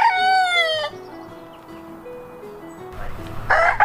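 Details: Rooster crow opens the clip, a long, rich, slightly falling note. Background music with a steady melody follows, and a harsh crow-like burst returns near the end.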